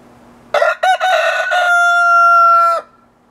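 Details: Lead rooster crowing in the morning: a few short, broken opening notes, then one long, steady, ringing tone held about two seconds before it cuts off sharply. A faint low hum runs underneath.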